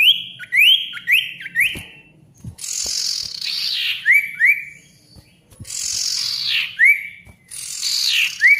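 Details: Ashy tailorbird male singing gacor style for restarting mute birds: a quick series of rising whistled notes, then harsh buzzy bursts that sweep downward into sharp upslurred whistles, repeated in three phrases over a low hum.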